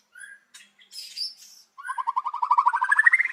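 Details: White-rumped shama in the morning, sung as a lure for other birds: a few scattered squeaks and a buzzy note, then a quick, accelerating series of repeated notes climbing steadily in pitch.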